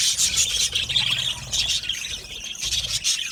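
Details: Budgies singing in an aviary colony of Australian parrots, raspy warbling chatter and high chirps from many birds, rising and falling in short loud waves.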